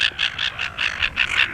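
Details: A silver gull from a mating pair on Penguin Island off Shoalwater, Rockingham, gives a quick run of harsh, nasal notes, about five a second, each sharp and slightly rasping.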